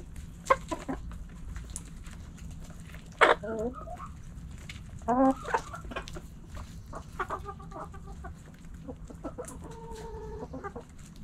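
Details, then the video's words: Backyard hens and roosters pecking and scratching: scattered short clucks, then louder nasal calls near three and five seconds, followed by a run of quick, evenly spaced clucks toward the end, over a steady low hum. "Hens Clucking Roosters Crowing"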